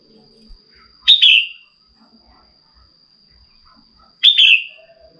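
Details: Two short, bright, slightly buzzy descending phrases about three seconds apart from a female red-whiskered bulbul prompting a male to sing, with faint scattered chirps and a steady high background tone.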